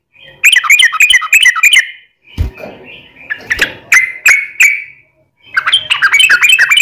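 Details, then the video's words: Lure song of a yellow-vented bulbul meant to make other birds sing: quick bubbly chattering phrase, a soft knock, a few separate slurred whistles, then another rapid chattering burst. "SUARA trucukan gacor ROPEL PANJANG pancingan trucukan agar bunyi"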